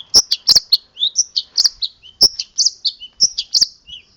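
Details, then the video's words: Song of a local Boja long-tailed shrike rich in borrowed strange sounds: a varied, nearly continuous stream of high chirps, slurred whistles and lower notes, punctuated by loud sharp clicks. "Cendet lokal Boja ada isian suara anehny"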